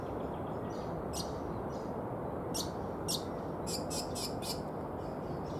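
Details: Lichmera indistincta, the brown honeyeater, uttering isolated crisp high chips, then a fast run of four chips, all over a loud continuous rushing noise.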